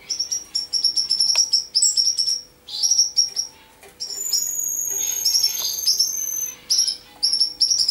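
Common Chaffinch in bright, high chirping bursts and quick trilled phrases, with thin sustained whistles running through the middle and a faint low hum.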